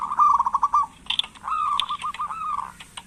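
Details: Chatty local zebra dove, used to stimulate lazy doves to sing: a brief rapid run of pulsed coos, then a longer, smoother wavering coo phrase lasting over a second.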